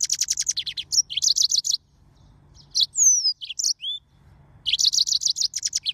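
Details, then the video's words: Mozambique serin, or yellow-fronted canary, singing rapid high trilled phrases, then after a brief pause a few clear whistled slides falling and rising in pitch, before resuming the quick trilling. "طائر الياسمين الموزمبيقي serin mozambique"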